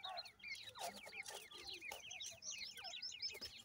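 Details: Francolin chicks crowd together giving loud, rapid, high-pitched downslurred peeps in a near-continuous overlapping stream, with scattered soft clicks.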